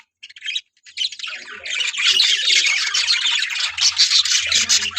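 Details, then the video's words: Breeding colony of budgerigars starting with a few squawks, then building into a continuous loud chatter of harsh squawks and chirps. "Noise Of My Budgies Parrot Colony"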